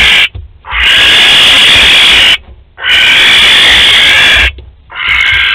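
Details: Barn owl pair visiting a nest box at Théding on 12 May 2020: three long, harsh, rasping hisses of about two seconds each, broken by brief silent gaps.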